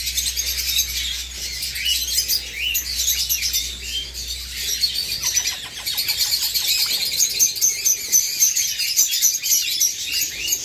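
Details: Eastern rosellas, a pair and two fledged chicks, the elder independent and pursued by the male. Busy high-pitched chirping, with a run of quick ticking notes about halfway through.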